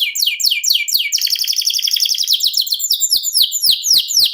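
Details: Canary singing long ngerol song: quick descending high notes, then an extended rolling trill, then more repeated falling notes with light clicking beneath.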